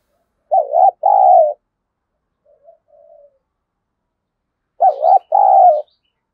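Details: Spotted dove calls used to lure wild doves: a two-part cooing phrase of a short wavering coo and a longer, steadier coo. Faint soft notes follow, then the phrase repeats after about four seconds.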